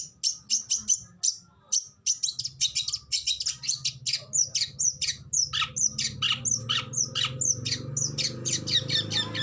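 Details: Oriental magpie-robin (kacer) singing aggressive 'tembakan' masteran song, said to stun rival birds: dense, harsh, high-pitched squawking and chattering notes fired in quick, uneven bursts several times a second, with a faint low hum beneath.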